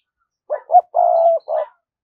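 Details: Spotted dove used as a lure for wild doves, close and loud: two short low notes, a long steady coo, and a final short coo.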